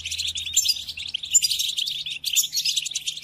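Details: European goldfinch singing a rapid, jangling run of high chirps and trills, used to train captive goldfinches during the moult; steady, busy twitter with a brief gap near two seconds.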